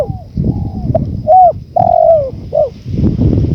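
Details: Spotted dove, in a tutoring recording set against wind. A single phrase: a long low coo, a brief hooked note, then a drawn-out falling coo and a short final hoot, backed by a low wind roar.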